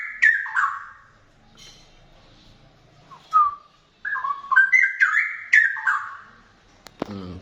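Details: Straw-headed bulbul singing at a distance of 2 meters, a rich, loud, bubbling warble of slurred whistled notes that tumble down then climb, delivered in quick clustered bursts separated by short pauses, ending with a sharp click.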